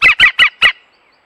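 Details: European green woodpecker filmed by a reserve wildlife camera, giving four loud, harsh, laughing notes in quick even succession, about five per second, then falling silent.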